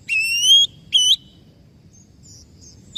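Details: Oriental magpie-robin giving a long, pure rising whistle followed by a shorter upslurred note, then near silence with faint high chips and a low background hum.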